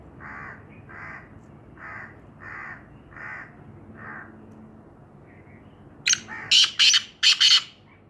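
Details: Black francolin giving a short, loud burst of harsh, grating notes, about five rapid strident syllables packed into under two seconds near the end. Before it, six evenly spaced hoarse cawing notes come from another bird over a quiet background.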